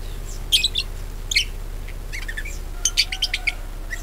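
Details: Budgerigar song used to prompt other birds to sing: sharp chirps and scratchy warbled notes in irregular bursts, a denser run of chatter near the end, with a faint low hum behind.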